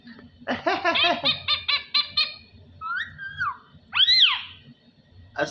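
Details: Parrot speaking in a small room, a fast string of repeated harmonic syllables like a chanted phrase, then a few higher whistled slides and a rising-falling squawk; faint hum underneath.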